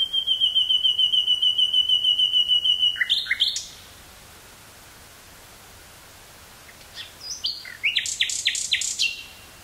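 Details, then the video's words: Wild common nightingale singing in Dutch woods near Burgh-Haamstede on 18 May 1983, stereo cassette recording: a sustained pure whistled tone breaking into quick chirps, a pause of about three seconds, then a stuttering run of sharp repeated notes. "Nightingale singing near Burgh-Haamstede, NL"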